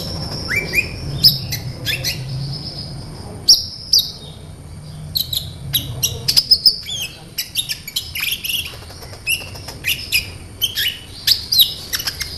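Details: Sunbird lure song: dense, rapid high chirps and shrill whistles over a low background hum that fades after the first few seconds, growing busier toward the end.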